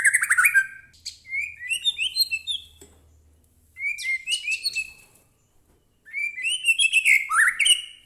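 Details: Energetic White-rumped shama song meant to provoke other shamas into singing: three loud bursts of rapid, varied phrases mixing rising whistles, chirps and scratchy notes, separated by brief pauses, with a faint low hum underneath.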